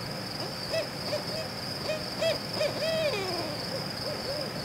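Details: Barred owl hooting in a rhythmic series: short notes build to a longer hoot that slurs down and fades, followed by softer closing notes, with a constant high-pitched hum behind.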